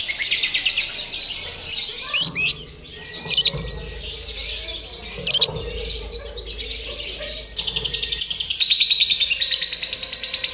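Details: Lovebird in a contest-simulation recording meant to train its mental readiness for singing competitions; dense, rapid high chirps and trills, brief louder sharp notes near 2, 3.5 and 5.5 seconds, a fuller burst after 7.5 seconds, faint low rumble beneath.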